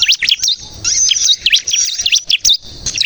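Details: Bar-winged prinia in strong song, used to attract and set off other prinias: quick high chirps and V-shaped whistled notes repeated in short bursts, clear against a quiet background.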